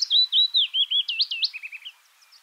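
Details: Willow warbler song: one sweet, whistled phrase of slurred notes that slides gently downward in pitch over about two seconds, loud at first and fading toward the end.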